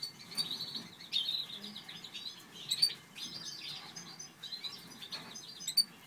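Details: Satinet canaries in a breeding pair, a Natur/Satinet male and a Satinet female, sing rapid buzzy twitters and chirps in uneven clusters about every second or two, with faint hiss behind.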